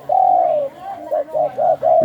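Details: Young caged spotted dove singing in the Thai sai khu ang style. A long, smooth coo slides slightly downward, then four short, rounded coos follow in quick, even succession.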